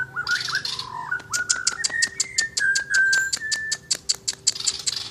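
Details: Asian brown flycatcher singing actively, mixing varied whistled phrases with a fast series of sharp ticking clicks, the clear whistles held steady at mid pitch between the clicks.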